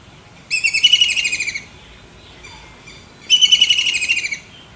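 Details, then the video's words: Kingfisher calling: two bursts of rapid, high, rattling notes, each run lasting about a second and slightly falling in pitch, separated by a quiet pause with faint background chirps. "tiếng chim bói cá"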